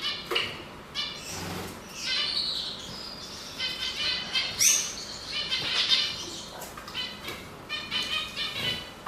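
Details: Canary song, bird examined for being male: fast rolling trills and chirps in continuous sequence, with a piercing high note midway and steady background hiss.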